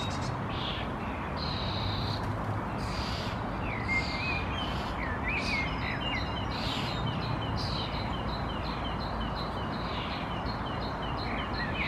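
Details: Common starling nestling in a nest box in Helsinki, Finland, May 2021, calling with short rising squeaks and chirps and scattered harsh hissing bursts as one or two parents arrive to feed it, over a steady low rumble.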